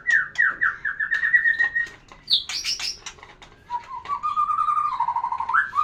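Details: Song of a White-rumped shama, used to stimulate a female for breeding: a quick series of repeated slurred notes, a sharp high buzzy burst, then a lower rising and falling whistled phrase ending in an upward flick.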